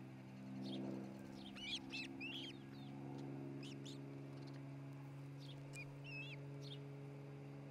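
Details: Ospreys at a nest in Charlo, Montana, nest camera, 27 June 2018 afternoon: bursts of sharp, high, upslurred whistled chirps, then quieter chirps later, with constant low humming noise underneath.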